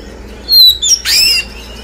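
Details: Lure song of an oriental magpie-robin for a freshly moulted bird: a short high whistle sliding down, a brief rising note, then a loud rasping, buzzy phrase with fluty overtones.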